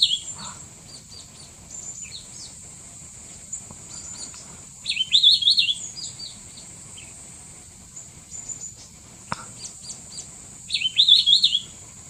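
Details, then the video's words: Mishmi wren-babbler giving brief high twittering calls, two clear phrases about six seconds apart, with faint other bird notes and a steady shrill insect drone throughout. "Mishmi Wren-Babbler call"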